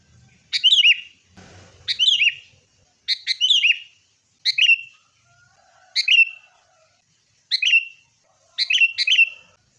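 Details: Sooty-headed bulbul sounds recorded as a lure to stimulate caged birds, fighting: seven crisp, bright, down-slurred whistled phrases, one every second or so, against a quiet background.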